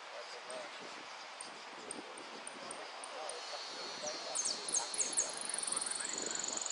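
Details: Saffron finch singing in a song contest gives high, sharp descending notes that run into a fast, ringing trill, with a faint murmur of background voices.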